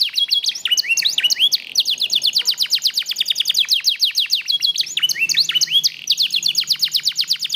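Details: Black-red mosaic canary song made of long, rapid rolling trills of sharp descending notes, loud and almost unbroken, with a few looping whistles mixed in.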